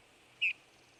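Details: Eurasian bullfinch giving one short, soft, steady whistled note, clear above a faint low hum.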